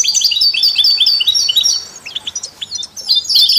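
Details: Elaborate European goldfinch song, alongside canaries and mules, intended to encourage other songbirds: quick high twittering and trills, a quieter stretch of scattered chirps, then a renewed bright trill.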